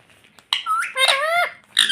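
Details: Talking pet parrot, said to say "mummy", gives a short burst of speech-like syllables: a sharp onset, then two rich harmonic sliding tones, then another clipped syllable at the end, indoors.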